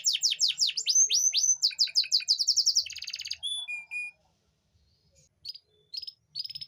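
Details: Canary song meant to rouse female canaries that are slow to mate; quick repeated downward-sweeping notes and a rapid buzzy series, then a few short whistles and scattered chirps after a pause.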